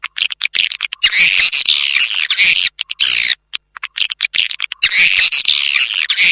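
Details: Kalimantan swiftlet calling: dense, buzzy, high chattering in long bursts broken by short pauses, like a busy flock twittering together.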